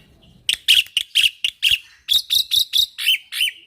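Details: Young Javan pied starling, kept caged, giving a series of about eleven loud harsh chattering bursts, roughly three per second, each noisy and broadband, after a faint soft note.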